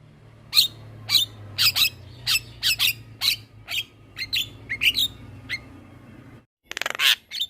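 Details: Black-winged myna singing vigorously, recorded as tutor material for other mynas: a series of short harsh chips and squawky notes spaced about half a second apart, ending in a loud burst of rasping noise.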